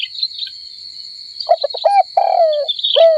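A dove gives a short run of low, hollow notes, including one drawn-out falling coo, over a steady high insect drone.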